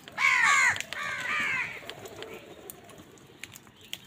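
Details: Morning scene of many crows fighting wild birds over food: a loud harsh caw opens, followed by a quicker string of rasping notes, then fading quiet with scattered faint clicks.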